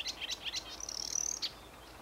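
A marsh warbler gives three quick, high chirps, then a thin, rapid buzzing trill about half a second long, ending on one sharp note. The background is quiet.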